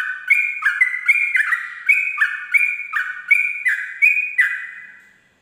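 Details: Sooty-headed bulbul, ropel song at dawn, delivered as around ten rhythmic, bubbly chirping phrases at an even pace, each with a bright upper note over a lower warble, fading away at the end.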